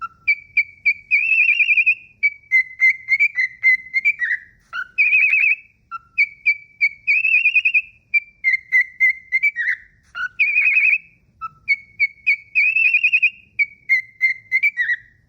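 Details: A pet cockatiel in its daily whistling, hitting high notes, whistles a looping tune of clear, warbling notes with quick upward slides.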